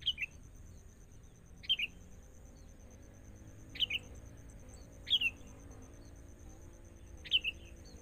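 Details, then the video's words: Sooty-headed bulbul from the forest during training with a decoy bird: five sharp, downward-sliding double chirps spaced irregularly about one to two seconds apart, against a steady faint high hiss and low hum. "Proses.. Melatih Kutilang Mudah Hutan.."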